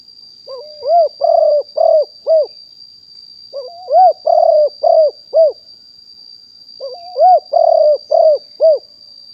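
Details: Spotted dove used as a lure bird, fully wild stock, recorded live in 2021: three cooing phrases about three seconds apart, each a brief rising lead-in followed by four soft rounded coos in a quick rhythm. A thin high electronic whine sits underneath.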